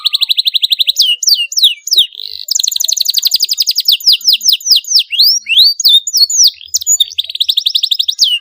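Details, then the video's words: Canary in full, continuous song with sharp rolls, used as a lure to prompt young canaries to sing: dense rapid trills alternate with bouncy downslurred notes, repeated several times in quick succession. "Cuitan Kenari UNTUK Perangsang bunyi Kenari paud, Gacor ngeroll tajam untuk pancingan"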